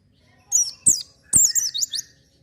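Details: Lively oriental white-eye singing, used to encourage untrained birds: a short sequence of bright, high, descending warbled notes broken by two sharp clicks, ending in a quick twittering flourish.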